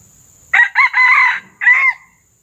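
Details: Red junglefowl calling during bird trapping with a decoy lure, as the wild junglefowl comes in and out and a hen arrives. A loud, hoarse crow breaks into several rough segments over about a second, then one more short phrase, against a steady high insect hum.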